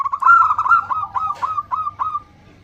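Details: Female zebra dove calling to the male: a dense, run-together string of low cooing notes that then breaks into separate, evenly spaced coos, fading out after about two seconds.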